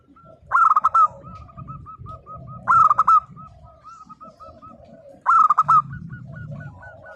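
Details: Local zebra dove in full, active song, played to prompt silent doves to answer: a harmonic, rolling coo phrase repeated about every two to three seconds, with soft short tapping notes between the phrases and a low background rumble.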